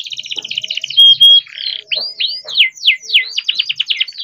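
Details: Captive-bred young canary in full, long rolling song, kept to coax other canaries into singing. It opens with a fast buzzy trill and two pure held whistles, then repeated swooping down-slurred notes in quick succession.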